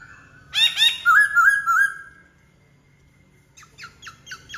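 Black-throated laughingthrush: a burst of harsh, rich notes runs into a clear wavering whistle, then a pause and a quick series of short falling notes, over a low hum.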